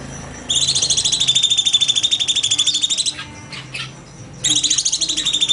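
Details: Cucak cungkok bulbul in 'nembak' song, recorded as a master for training birds: a sharp, rapid, pulsed trill for about two and a half seconds, a quiet pause with light clicks, then the trill resumes.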